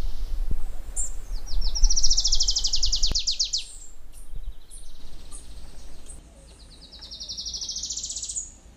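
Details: Adelaide's warbler, native to Puerto Rico, gives two high, rapid trilled songs, each a fast run of sweet notes that rises in pitch and quickens, with a soft background hum.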